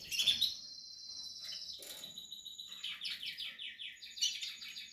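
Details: Singing Portuguese harlequin canary while nesting, holding a high buzzy note before a series of rapid downslurred trilled syllables and brisk twitters.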